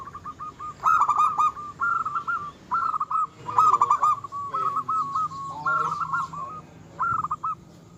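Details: Strongly singing local zebra dove, a song said to enrage rivals and boost their breeding urge: repeated clusters of stuttered, mellow coos roughly every second, alternating louder and softer phrases.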